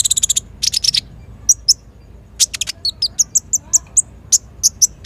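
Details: Sunbird called konin, kolibri ninja, singing for lure and master training; a fast opening rattle, buzzy bursts, then a steady series of high, sharp chips about every third of a second.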